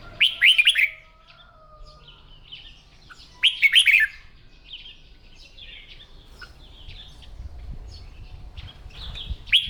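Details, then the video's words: Caged red-whiskered bulbul in morning voice training, kept by bird keepers to build competition singing: two loud bursts of bright warbled, rolling notes about three seconds apart, with soft chirps from other birds between. "Tiếng Chim Chào Mào Hót , Kích Chim yếu lửa ra giọng , luyện giọng chào mào mỗi sáng"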